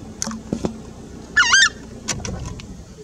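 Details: Southern screamer (Chajá): a single loud, harmonic honking note near the middle, briefly nasal and trumpet-like, among scattered fainter clicks and background calls from other birds.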